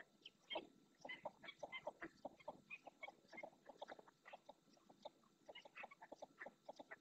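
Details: Red-knobbed coot, a ringed bird, in Doñana National Park marsh, Spain. Dense run of short, knocking cluck notes, several per second and uneven, with scattered higher squeaks mixed in.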